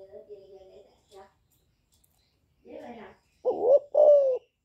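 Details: Spotted dove, young, giving chu lèo calling coos to attract wild doves: soft low murmurs and a brief rustle, then one strong two-part coo, an upswept note followed by a longer falling one.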